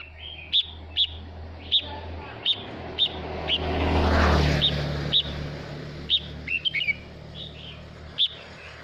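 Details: Male red-whiskered bulbul singing to call the flock: short sharp whistled notes repeated roughly every half second, one brief warbled phrase near the end, while a passing vehicle swells and fades in the middle.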